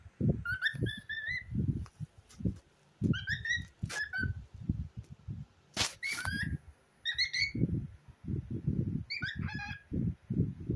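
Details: Cockatiel kept as a pet, 'talking' with a boy beside a toy pig doll: several short bursts of sharp, chirpy rising notes rich in overtones, spaced a few seconds apart, with a child's speech running underneath throughout.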